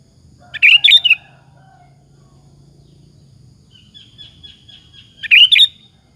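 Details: Sooty-headed bulbul in full song, used as a lure to provoke other bulbuls into answering: two loud, bubbly, chattering phrases about four seconds apart, with a thin whistled trill between them over a faint low hum.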